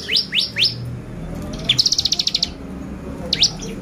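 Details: Bar-winged prinia lure for provoking excitement: three rising high notes, a pause, then a crisp rattling trill of around ten pulses and a final pair of upslurs.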